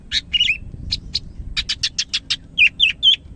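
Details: Greater green leafbird, Medan type, singing hard: a run of evenly spaced buzzy chirps followed by three looping, up-and-down whistled notes.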